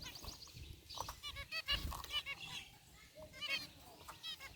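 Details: Caged zebra finches, including a white one among gray birds, calling in a soft burst of nasal tooting chirps over a steady low hum and occasional thumps.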